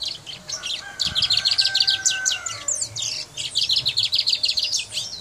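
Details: Singing brown mustache from Guyana: a continuous run of quick, high, jangling notes for several seconds, with a brief pause midway. A faint steady whistle-like tone sounds beneath.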